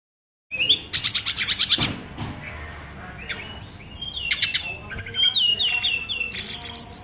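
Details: Caged oriental magpie-robin kept as a singing bird, with a song said to be overflowing with learned phrases: rapid buzzy trills at first, then varied high whistled notes and short slurred phrases, with faint low background noise.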